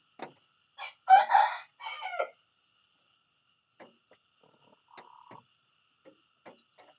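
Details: Rooster's morning crow in broken, hoarse bursts over about a second and a half, followed by quiet, sparse clucks and a short steady tone.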